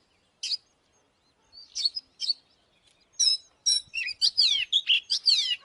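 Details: Oriental magpie-robin lure bird singing to provoke fighting. A few isolated sharp notes give way to a quickening run of bright whistles and downward slurs, roughly two notes a second, against a quiet background.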